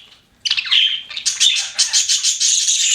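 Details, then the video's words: Pet budgerigars burst into chirping after a short silence: a buzzy warble followed by a fast run of rattling, pulsed chirps that climb slightly higher. "CUTE PET BUDGIES CHIRPING"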